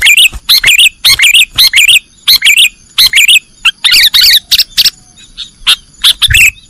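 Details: A sooty-headed bulbul sings the 'nggaruda' style on a training recording: a steady stream of paired, bubbling whistled notes, closely spaced and loud, rising and falling quickly.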